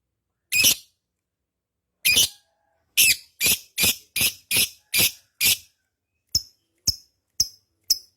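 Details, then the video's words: Vigorously singing lovebird, long ngekek style: two widely spaced harsh squeaky calls, then a quick series of six raspy notes, ending with four thinner, clipped chirps. "love bird ngekek panjang gacor"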